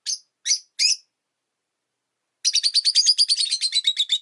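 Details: Three loud separate chirps from pet Rosy-faced lovebirds in a window-side cage, a pause, then a rapid chattering series of high notes; one of five birds kept indoors, calling freely in winter.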